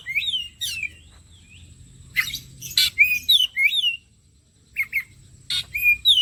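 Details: Kacer, or Oriental magpie-robin, singing in a bait recording meant to prompt lively singing: varied sweet whistles, slurred up and down, broken by short sharp chips and pauses, rich and rapid over a quiet background.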